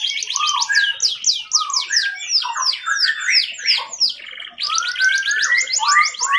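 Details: A canary sings without pause, fast, bright trills and rolling tours, each phrase a quick run of high notes, nothing else heard; used as a song-tutoring recording; Canary.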